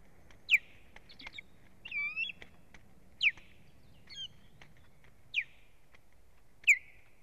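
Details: Ospreys at a nest on 1 May 2017, strange birds attacking the resident female: loud, piercing, downslurred whistles every second or two, with softer, twisting squeals and chirps in between.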